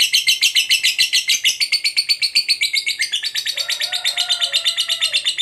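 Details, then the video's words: Fighter lovebird giving a long ngekek, a trill meant to provoke a rival: rapid, buzzy, high-pitched pulses at about four per second, held unbroken for over five seconds, with a fainter, lower whistled note near the end. "Suara Burung Lovebird Fighter Ngekek"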